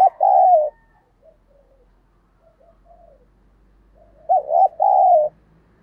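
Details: Spotted dove with a thổ-style voice, cooing to spur quick cooing and provoke fighting: a loud two-part coo opens, soft low murmuring notes follow, then another strong coo of a short note and a longer wavering one.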